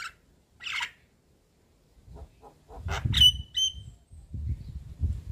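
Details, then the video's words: Javan myna (jalak kebo) chatter meant to trigger a silent myna: scattered harsh rasping notes and a bright short whistle, with low thumping knocks underneath. "Pancingan Jalak kebo Macet Bunyi / Jalak Kebo Stres Dengan Ocehan Jalak Kebo Mata Putih Manggut2"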